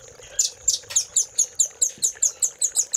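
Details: Velvet-fronted nuthatch giving a master song for training caged birds, in the 'cililin' filling style. Loud, high, slightly slurred notes come about four times a second in an evenly spaced series.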